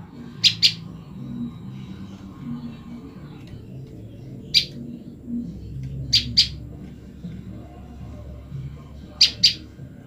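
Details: Separated from her mate, a female olive-backed tailorbird calls to him again and again. Brief, piercing high chips come singly or in pairs every second or few seconds, with a low rumbling background.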